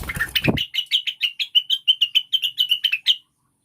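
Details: Cucak wilis (rengganis), a Blue-winged Leafbird, in a lure track for caged birds. A brief noisy start gives way to about eighteen rapid, piercing chirps at even spacing, each short and bright, ending abruptly.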